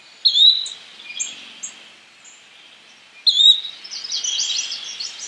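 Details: Yellow-bellied flycatcher: two sharp, high, rising whistled calls about three seconds apart, with scattered faint chips between and a burst of other high, jumbled chirping at the end.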